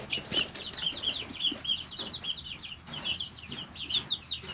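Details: Three-week-old domestic chicks in a brooder, calling constantly: dense high peeps and chirps, many overlapping, with scratching and small knocks beneath.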